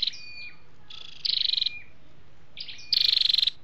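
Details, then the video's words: Flowerpecker (chim sâu đầu đỏ) calls from both sexes, used to trap or stir up birds. Thin falling whistles lead into two fast, even, high trills with a short pause between them. "tiếng chim sâu đâu đỏ"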